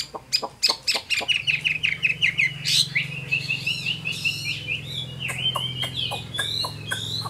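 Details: Wild-caught adult Chinese hwamei in a cage: a run of sharp taps about three per second over a low hum, then flowing whistled song with looping slurs and scattered short clicks.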